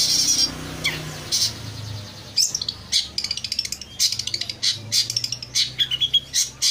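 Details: Long-tailed shrike song played as a lure to get quiet or stressed birds to answer: rapid, harsh, high chattering bursts repeated in quick clusters, with faint low speech near the start.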